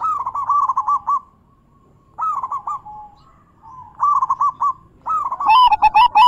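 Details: Zebra dove lure song for doves that won't sing, featuring big, bekur and crystal voice types: four short rolling coo phrases with gaps, high sharp chirps joining during the last phrase.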